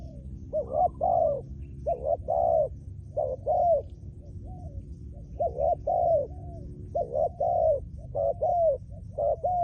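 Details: Decoy-trained spotted dove cooing steadily: repeated phrases of a short doubled hoot followed by a longer, slightly falling coo, about six phrases in close succession against a faint low hum.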